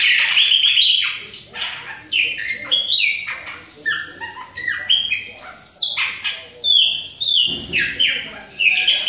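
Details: Chopi blackbird, Bahia type, adult and a young bird, pouring out a long string of loud, varied whistled phrases with falling and rising slides, short pauses between bursts, a brief knock near the end.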